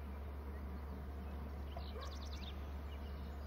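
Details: Bald eagle calling close by. A rapid series of high, thin, zigzagging chittering notes lasts about a second, over a steady low hum and a faint background hiss.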